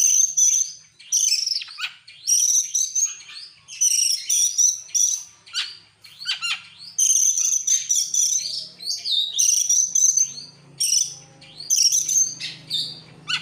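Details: Excited Oriental magpie-robin singing constantly with its tail opened: a long run of loud bursts, each a high, ringing, buzzy note mixed with scratchy chatter, with a faint low hum later.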